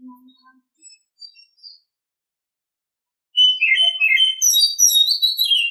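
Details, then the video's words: Oriental Magpie-Robin, morning song: after a few soft low notes and a pause, a loud outpouring of fast, varied whistles and high twittering trills rises and falls repeatedly. "Nghe chim chích chòe than hót hay mỗi sáng"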